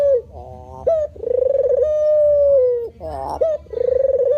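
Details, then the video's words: White variant of the spotted dove (terkukur) giving low, mellow coos: short hooting notes alternating with long purring, slightly wavering rolled phrases, the pattern repeating about every two seconds over faint low background hum. "suwara burung terkukur putih"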